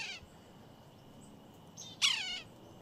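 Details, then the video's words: A red-breasted sapsucker gives one loud, nasal, slightly falling mewing squeal, with the tail of another at the start; a faint thin high whine runs underneath. "Red-breasted Sapsucker"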